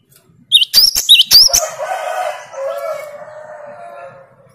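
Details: Great tit, normally slow to sing, responding to a lure of a vigorously singing great tit: a burst of four high, ringing slurred notes, then a softer, lower drawn-out rasping sound that fades away.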